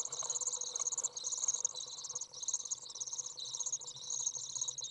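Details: Fledged Common Swift young calling on a 30°C summer day, 27 June 2011, while an adult brings food; shrill, sizzling high-pitched trills repeated in unbroken wavering bursts, with a faint low hum underneath.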